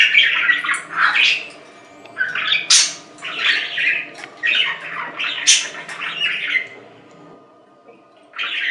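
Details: Long stretch of budgie warbling: raspy, squeaky phrases and sharp chirps tumbling in irregular bursts about once a second, easing into quiet before a last squawk.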